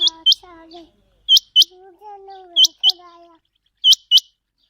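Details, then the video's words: Chinga quail calling in a recording used for quail hunting: sharp, high whistled notes given in quick pairs, each pair repeated about every 1.3 seconds, with lower drawn-out tonal sounds in between. "Chinga quail vioce /چنگا بٹیر کی صاف آواز"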